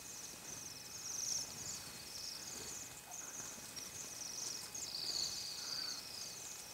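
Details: Feeding flock of Bohemian waxwings giving a dense chorus of high, sibilant trills that overlap and swell, loudest near the middle and toward the end, over a soft background hiss.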